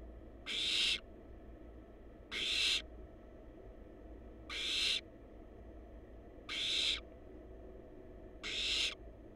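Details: In a wild barn owl nest box watched by researchers, the chicks give rasping, snore-like hisses. Five even bursts come about every two seconds, each near half a second, with a faint low hum throughout.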